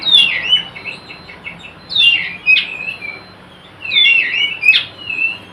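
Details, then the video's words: Oriental magpie-robin giving a 'nyrecet' lure call, used to call other magpie-robins, even silent ones, into singing: several bursts of sharp, scratchy chattering notes with slurred whistles, separated by short pauses, over a faint steady high tone. "Suara Kacer Nyrecet Pancingan Kacer bisu agar mau bunyi gacorr"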